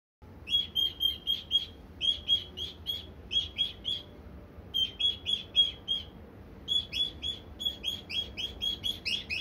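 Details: Elderly pet cockatiel, about 77 in human years, scolding a box it hates: quick, sharp, chirpy notes repeated about four per second in short bursts separated by brief pauses.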